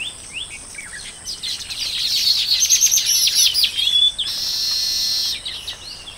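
Baya weavers chattering at a colony: a burst of high, dry chirps and sparrow-like notes, then a long wheezy buzzing hiss, over a steady high insect-like hum.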